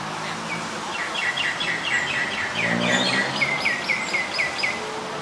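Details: Common myna in Ubon Ratchathani, Thailand, February 24, 2022, giving a rapid series of harsh, chattering notes, about two per second, rising and falling around a mid-high pitch, over steady background hiss.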